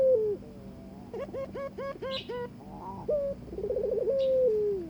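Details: Barbary dove given a mate and courting it, with a mating call: low coos and a fast rolling, purring trill that ends in a long, slightly falling coo. A run of short, hooked, rising notes is heard between them.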